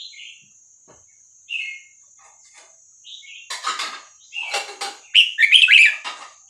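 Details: Red-whiskered Bulbul of the Vietnamese style, 3-4-5-6-7 song, played to teach young birds and excite them: brief warbled notes, then loud rattling clicks and a rich bubbling phrase, over a constant high whine.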